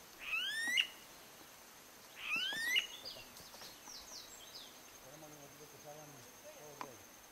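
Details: Smooth-billed ani (Crotophaga ani) in the Galapagos, Ecuador, in May 2012, gives two loud, whining, upslurred whistles about two seconds apart, followed by faint low murmuring in the background.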